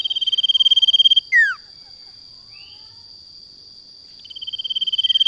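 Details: Lure song of a male sirtu, an Indonesian cage bird. A fast, even, buzzy pulsed trill breaks off into a quick falling slur. After a short pause a new trill swells in, over a steady high whine.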